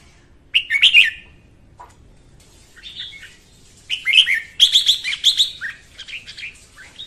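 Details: Red-whiskered bulbul female's morning song, played to train captive bulbuls and to trap birds: clear, lively warbled phrases of quick up-and-down whistled notes in two bursts separated by a pause, no other sounds.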